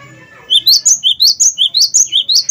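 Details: Gelatik batu, or cinereous tit, of the wingko type, in full song to set other birds singing: quiet start, then a rapid, even run of bright, high two-part whistled notes, about five each second, to the end.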